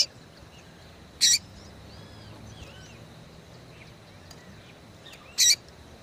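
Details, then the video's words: Yellow-bellied Seedeater female calling to stimulate males: two loud, sharp high chirps about four seconds apart, with soft faint notes and low background hum between them. "fêmea de coleiro baiano chamando Muito Pra Esquentar coleiro baiano"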